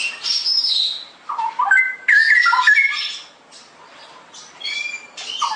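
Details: Straw-headed bulbul in full, busy song in the ngeroplek style: high thin chattering at first, then a loud burst of rich, bubbling whistled phrases that slide up and down, fading to soft high twitters.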